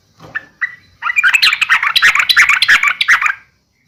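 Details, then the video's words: Yellow-vented bulbul fighting call (uplik tarung) to provoke rival bulbuls. A few scattered notes, then a dense, harsh, fast chatter for about two and a half seconds before stopping. "trucukan gacor SUARA UPLIK TARUNG ini AMPUH bikin burung trucuk gacor NYAUT EMOSI SEKETIKA"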